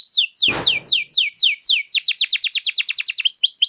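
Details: Canary song for teaching other birds: evenly spaced, falling whistled notes speed up into a quick trill, ending in higher drawn-out whistles; one brief broadband thump early on.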